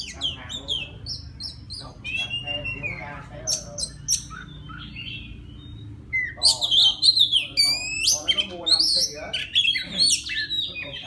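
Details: Wild-type Oriental magpie-robin singing to call a female: varied loud whistled phrases, slurred rising and falling notes mixed with rapid chattering trills, a quiet start building to dense bursts after six seconds, faint low hum beneath.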